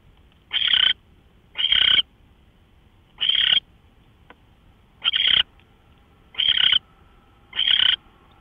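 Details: Predawn owl on a live camera, March 24, 2013, 5:27 AM. Six loud, breathy screech-hisses are spaced one to one and a half seconds apart over near silence.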